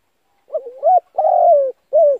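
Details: Spotted dove calling as a trapping lure: one short phrase of hollow coos, a soft broken opening, then a longer drawn-out note and a final shorter coo, with no other sounds.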